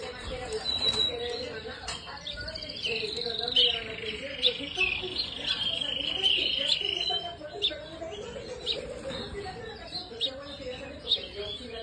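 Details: Red canaries in a breeding aviary singing together: bright, high trills and rapid chirping notes overlap, with a sustained rolling trill in the middle. Lower warbling and a steady background hum run throughout.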